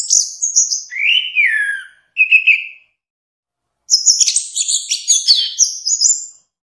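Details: Orange-headed thrush song for training caged birds: high thin whistles and a falling slurred phrase, a short trilled note, then after a pause a dense, very high twittering passage of rapid overlapping notes.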